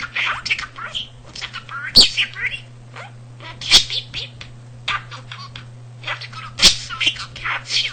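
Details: Pet budgerigar in a home, self-taught talker of almost 300 words and sentences, also copying a cat's purr; scratchy, speech-like chatter punctuated by loud clicks roughly every two to three seconds, steady electrical hum beneath.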